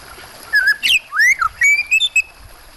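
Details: White-rumped shama song set against water sounds: a fast run of loud whistled slurs, upward sweeps and clipped notes, each syllable changing pitch, lasting about two seconds.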